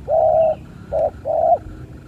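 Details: Spotted dove heard during a fight: a three-note coo, a long hoarse first note, a brief middle note, then a drawn-out closing note, all at a steady low-mid pitch over faint background noise.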